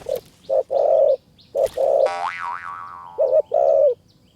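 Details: A wild spotted dove in high mountain forest near Kanchanaburi, Thailand, lured by a decoy dove and approaching fast, gives a run of deep, hoarse coos in short bursts; another bird's wavering whistle is heard midway.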